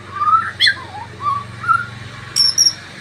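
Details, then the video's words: Male white-rumped shama of the fighter type, bowing so low it falls over, singing clear, mid-pitched whistled phrases that rise and dip, interrupted by sharp high bright notes. "Murai fighter pooll sujud sampe jatuh"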